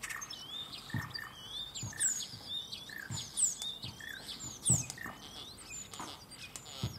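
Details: Common starlings, two males in a German cherry tree, competing in song and imitating other animals; a jumble of wavy whistles, chirps and sharp high squeaks, with soft dull taps roughly every second.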